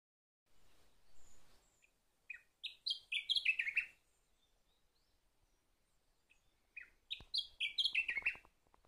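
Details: Sakhalin grasshopper warbler singing two short phrases about four seconds apart, each a quick run of clear whistled notes stepping up and down, ending in a buzzy flourish; a faint softer call is heard before the first phrase.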